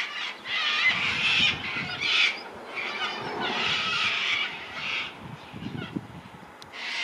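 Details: Sulphur-crested cockatoos, sighted 4 April 2020 in Launceston, Tasmania, Australia, give harsh, grating screeches in loud bursts, more than one a second, with a faint low rumble underneath.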